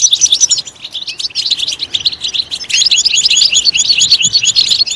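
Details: A European goldfinch in full song, played to encourage other birds to sing: bright, high twitters and rolling trills, briefly softer in the middle, then louder again.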